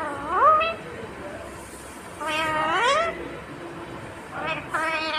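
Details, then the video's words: Talking Indian ringneck parakeet giving drawn-out, upward-sweeping harmonic utterances, three main phrases with quiet gaps between, against a low steady background. "Natural Sound of Talking Ringneck green parrot 🦜 Original audio 😯 Indian Ringneck Parrot 🦜"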